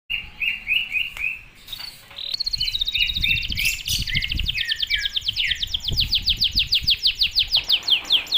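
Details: Canary in full 'gacor' song with tight 'tembakan' bursts, played as a master to get young canaries singing: fast rolling trills and rising whistled notes repeated several times a second, with some low rumbling noise beneath.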